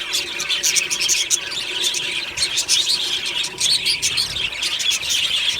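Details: Aviary budgerigars in a colony, singing and chirping happily in the morning: a crowded stream of scratchy warbles and quick tweets, loud and continuous, with many birds calling over one another.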